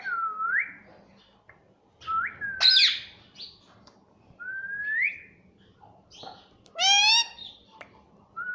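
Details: Pet green ring-necked talking parrot indoors: rising whistled notes repeated every few seconds, a sharp high squawk, and a loud harmonic speech-like word near the end.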